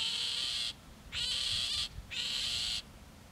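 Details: Iberian grey shrike (Lanius meridionalis) at Castelo Branco, 5 July 2019, giving three harsh, rasping, buzzy calls, each well over half a second long, spaced about half a second apart; nothing else stands out.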